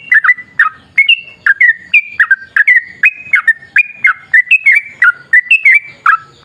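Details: Yellow-vented bulbul in lively, long rolling 'ropel' song, used as a lure to set other bulbuls singing: a steady string of short whistled notes, each dropping or rising in pitch, about two per second.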